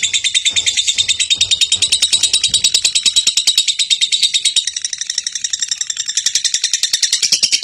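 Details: Champion contest lovebird in continuous, rapid high chirping, a dense run of sharp notes about three per second, with a few soft low thumps early on.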